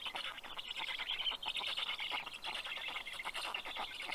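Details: Nest-camera recording from Karula National Park, Estonia, 11 June 2023, late morning: Black stork chicks give a funny greeting as the male arrives with fish, a dense scratchy hiss of begging calls broken by short pulsed bursts.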